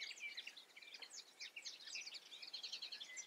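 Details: European goldfinch song: a rapid, tumbling twitter of liquid chirps, short trills and buzzy notes, continuous and high-pitched over about three seconds, with no other clear sounds.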